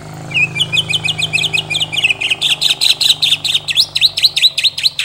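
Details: Shama (murai batu) pouring out a long, fiery burst: a fast accelerating chain of high chirps turning into loud V-shaped notes about three per second, over a steady low hum.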